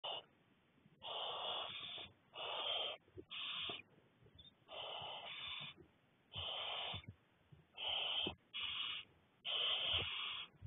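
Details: Six barn owl owlets at the nest being fed by a parent, 2 May 2020: harsh, wheezy hissing bursts of about a second each, repeated in an uneven series of about nine, with short quiet gaps between them.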